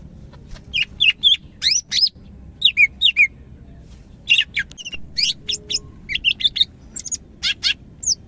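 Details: Greater green leafbird, Medan type, in energetic song: a steady stream of high, sliding whistles and sharp chips, delivered in tight clusters of two to four notes with brief gaps.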